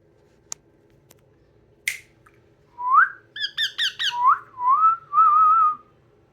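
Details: Yellow ringneck parrot whistling: a sharp chip, then clear rising whistled notes, a quick run of stacked chirps, and a final wavering, trilled whistle held about a second, in a quiet room.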